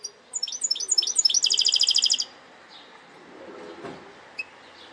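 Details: Segmented song of a goldfinch hybrid. A few high chirps speed into a loud, rapid, even trill lasting about a second, then end abruptly into quiet background hiss with a single faint note.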